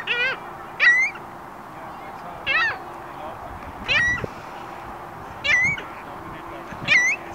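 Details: Gulls giving loud, harsh, nasal cries with a downward-bending, squealing tone, repeated about every one and a half seconds in six separate bursts, with faint low background noise between calls.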